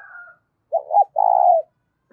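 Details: Spotted dove, loud and clear, calling to excite decoy birds. A short doubled low note leads into one long, even, hollow coo. A faint higher call from another bird fades out at the start.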